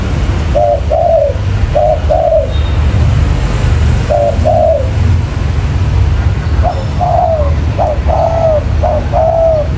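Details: Spotted dove used as a trapping lure, cooing in soft two-note phrases separated by pauses, then a brighter, more ringing burst of several coos toward the end, over low traffic-like rumble.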